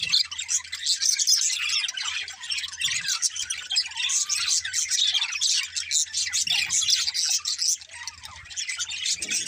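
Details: Several budgies, described as happy parakeets singing and playing, keep up a busy twittering chorus of quick overlapping chirps and squeaky warbles throughout, with faint low thumps now and then.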